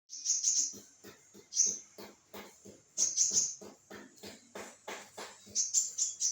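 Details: Olive-backed sunbird singing vigorously: bursts of thin, very high twittering notes recur every second or two, mixed with a steady run of sharp dry clicks and taps.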